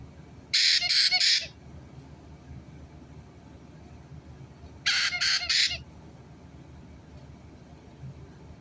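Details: White-bellied caique parrot, recorded 9 April 2022: two bursts of three loud, harsh, raspy screeches, one near the start and one about four seconds later, with quiet low background hum between them.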